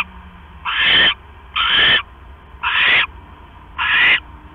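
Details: At 11:21 PM on October 5, 2015, a male owl arrives with a rat for his mate, who finishes it and returns to brooding her eggs; four grating, breathy calls spaced about a second apart.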